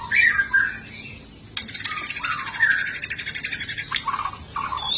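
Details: White-rumped shama kept in a cage, singing an emotional fighting song for training birds: two whistled slurs, then a long pulsing buzzy rattle, followed by softer whistled notes.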